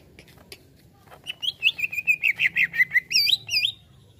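Greater green leafbird: a quick run of about a dozen clear, varied whistled notes, closing with higher swooping phrases, over a faint low hum.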